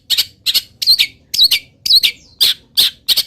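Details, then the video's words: Local long-tailed shrike still singing while moulting, its song full of wild bird mimicry; harsh doubled squawks with whistled inflections, about two per second, with one brief sliding whistle. "CENDET GACOR FULL ISIAM BURUNG LIAR"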